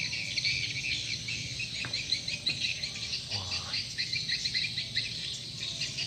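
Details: Calling sound for swiftlets: continuous high twittering and clicking chirps with a few sharp ticks, plus a brief low swooshing sweep near the middle, over a soft hum.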